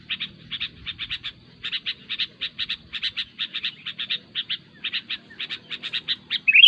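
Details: Sooty-headed bulbul, lure audio for catching bulbuls; crisp short chirps grouped in twos and threes, evenly spaced, ending with a brighter squeaky note, quiet background.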